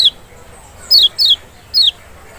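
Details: Lemon-bellied white-eye (kecial) used to stir a reluctant bird into calling: four thin, piercing notes, each sliding quickly downward, the middle two close together, against quiet hiss.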